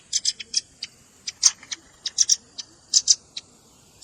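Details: Irregular high, sharp chips from a red-billed rambatan lure mix that combines adult and juvenile calls, notes spaced unevenly, some paired, over quiet background.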